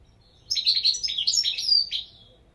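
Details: European goldfinch giving a quick run of bright, chattering twitters and short buzzy trills, fast and slightly uneven, lasting under two seconds over a faint low hum.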